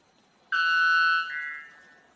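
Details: White bellbird; call; courtship display by the male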